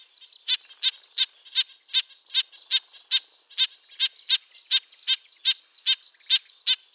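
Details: High, nasal tin-trumpet calls from a red-breasted nuthatch, a small conifer-forest songbird, repeated rapidly and somewhat irregularly, about two to three per second, over a background of softer calls.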